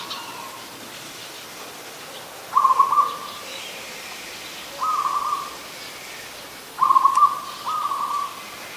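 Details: Recorded on 24 December 2020 in Ubon Ratchathani, Thailand: an adult zebra dove repeats short, rattling staccato coo phrases roughly every two seconds, alternating louder and softer bursts, with light background hiss.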